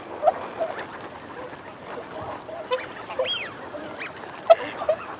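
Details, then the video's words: Eurasian wigeon, males and females calling together, with the females also giving growling calls. Dense overlapping chorus of short calls and murmuring, with a few clear arched, rising-then-falling whistles standing out in the middle and near the end. "Wigeon. Calls Cu-Mcu From Males, Females Also 'Growling' Mcu-Cu, Calls From Whoop"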